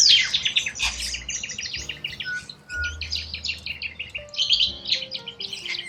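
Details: Corella cockatoos in the wild in Australia, a loud harsh screech opening into steady flock chatter of grating calls, accompanied by quiet held music notes.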